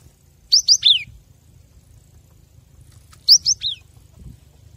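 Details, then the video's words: Cinereous tit in a master recording meant to get captive birds singing. The same three-note phrase comes twice, about three seconds apart: two short rising whistles and a descending slur, over a soft low hum. "Masteran gelatik batu agar makin gacor"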